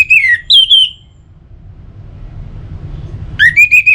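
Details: Orange-headed thrush singing, played to stimulate singing: two clear whistled phrases, one dipping and one sliding downward, then a pause with faint background rumble before a rising, repeated whistled phrase resumes.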